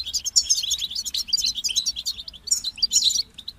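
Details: European goldfinch singing: a dense, rapid run of high twittering and tinkling notes with liquid trills, delivered in bursts with short breaks, over a faint low hum.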